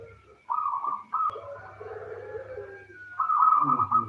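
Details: Lure recording of a female local zebra dove calling the male to prompt him to sing: short cooing bursts, a softer lower murmur, then a louder sustained coo; steady low hum throughout.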